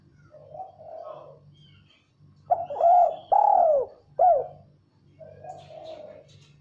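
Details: Female spotted dove learning the call, giving loud low cooing notes in a short phrase of three strong coos after softer hoarse coos, with a steady low hum behind.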